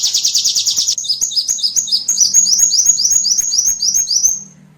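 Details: High-pitched small-bird calls played as a lure: a fast buzzy trill, then a steady run of about twelve quick rising chirped notes that fade out, over a low droning hum.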